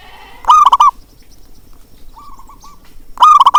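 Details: Zebra dove calling to stir lazy doves: two loud, bubbling, stuttered coo phrases, separated by a softer, lower-volume rolling coo, in an otherwise quiet setting.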